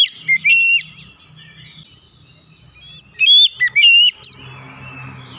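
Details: Oriental magpie-robin song for therapy of silent or stressed magpie-robins: a few short whistles at the start, then after a quiet gap a phrase of rapid up-and-down whistles, ending over low rumbling noise.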